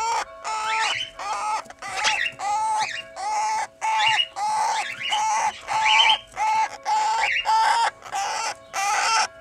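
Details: Red-winged parrots, a pair aged two years tending 20-day-old chicks, their first brood. Rhythmic harsh, nasal squawks repeat roughly every half second, each a buzzy burst with upward-bending tones.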